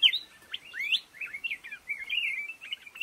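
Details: Black-crested bulbul singing in a bamboo thicket: a quick run of bright, warbled and slurred notes that rise and fall, with a strong opening note followed by a steady bubbling stream of short phrases.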